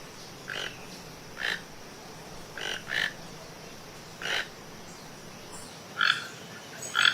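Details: A singing toucan repeats rough, croaking notes at uneven intervals, some doubled, over a steady low hiss, with the last calls louder and closer.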